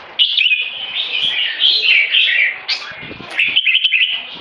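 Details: Red-whiskered bulbul singing in the 'one stroke' style leading into 'keke': bright warbled and whistled phrases run almost without pause, with quick chirpy notes and a short break near the end.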